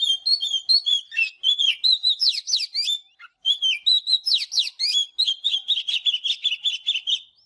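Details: Continuous morning song of an Oriental magpie-robin: fast, rich whistled phrases with rising and falling slurs and rapid trills, broken by one short pause near the middle.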